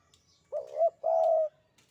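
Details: Close, clear coo of a Javanese spotted dove in the 'sandungan kuk 2' style. It opens with a wobbling two-part note that rises slightly, then a brief gap, then one drawn-out, even, mellow coo.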